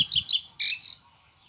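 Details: Yellow-bellied seedeater, Bahian form, singing: a brief burst of sweet, rapid chirped notes high in pitch, four quick phrases run together and stopping after about one second.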